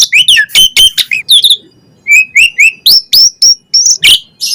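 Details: An Asian pied starling in a full fill-in song meant to stir other starlings to reply. Rapid chattering notes open it, then after a brief pause come a string of clear upslurred whistles and a few scratchy notes.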